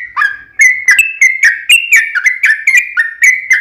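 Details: Yellow-vented bulbul song used as a lure to make other bulbuls sing: a fast run of short whistled notes around a steady pitch, each with a sharp click-like onset, repeated about once per second with slight rises and falls.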